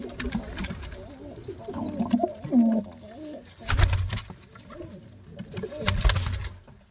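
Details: Two pigeon chicks fed together by their father: high squeaky arched notes in a run at the start, low guttural grumbles, then two loud bursts of flapping or rustling.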